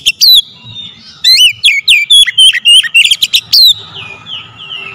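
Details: Oriental magpie-robin song used to provoke singing: an opening note, then a dense string of sharp whistles and clicks, fading into a soft drawn-out tone.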